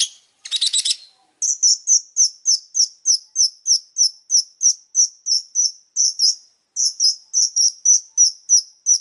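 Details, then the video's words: Long-tailed shrike in energetic song: after a brief harsh burst, a long series of short, high chirps repeated about three times a second, steady and sharp, with a short pause midway. "Suara burung pentet super gacor"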